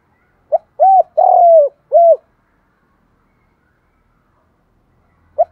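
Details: A 'đồng thổ' voiced spotted dove, used as a lure to provoke fighting, sings one mellow phrase: a brief note, a hollow arched coo, a long descending coo and a short arched coo. Quiet follows until another phrase begins.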